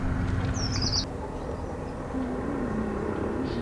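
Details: Male chestnut-bellied rock thrush: one short, high, fluttering trill lasting about half a second. A faint high note follows near the end, over a constant low rumbling background.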